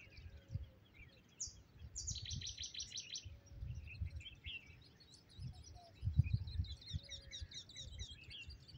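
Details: A Eurasian wryneck singing at Kfar Rupin in September 2023: a quick series of about eight high, nasal, evenly repeated notes, with scattered chirps from other birds and a steady low rumble underneath.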